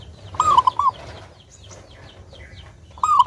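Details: Zebra dove, a local bird singing actively and clearly, recorded as a lure to make doves sing: one full cooing phrase of a rising note and stepped lower notes, another beginning at the end, over scattered high chirps from other birds.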